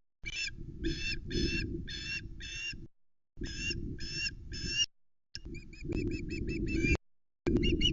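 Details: Young osprey on the Loch Arkaig nest, 17 August 2020, screaming as the father delivers a headless flatfish and it mantles over the prey; rhythmic harmonic screams in bursts, then faster thin piping, with strong wind noise.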